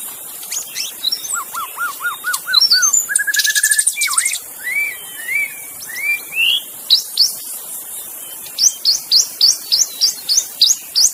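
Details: Wild magpie-robin singing in forest: a long varied song of repeated low whistled notes, buzzy trills and sliding phrases, ending in a fast series of sharp high upslurred notes about three per second. Insects hiss faintly behind.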